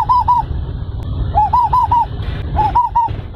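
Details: Little bronze cuckoo calling while held: quick doubled and tripled short arched notes in bursts, repeated three times over a constant low rumble of background noise.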